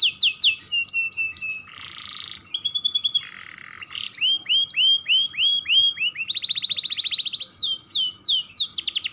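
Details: Chatty young canary used to encourage other canaries to sing, mixing quick high notes, a buzzy rattle, a series of swooping whistled notes, a rapid even trill and further descending slurs.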